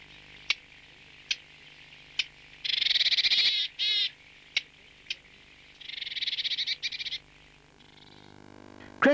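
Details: Willow Tit, a bird of damp woodland in Britain, giving its diagnostic harsh, buzzy, nasal calls in two bursts, the second a rapid run of rasping notes, between scattered sharp ticks.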